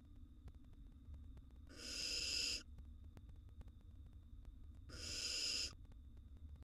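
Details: Nestling barn owl eating a gerbil, uttering two drawn-out raspy hissing shrieks roughly three seconds apart, each about a second long, against a quiet background hum.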